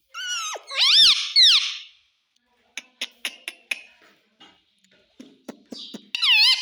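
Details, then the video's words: A parrot mimics the words "mummy" and "papa" with two or three loud, warbling, voice-like syllables, then a run of dry clicks and taps, before ending on another strong wavering call. "Parrot Talking Mummy Mummy _ Papa Bolta hai"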